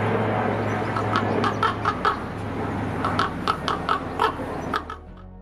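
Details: In the UK, a common raven (Corvus corax) gives its croak, one of its most used calls: a quick run of hoarse, clipped croaks, irregular and several per second, over a low steady musical drone.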